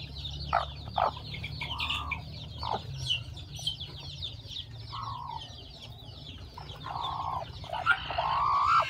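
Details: Hen-hatched chicks on a farm peep in a dense high chorus while lower, drawn-out clucks sound now and then. Toward the end a rising, whining note joins in.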